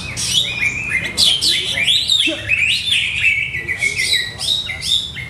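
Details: Caged Greater green leafbird being prepared for song contests, singing a fast string of high, sharp chirps and slurred whistles with scarcely any breaks.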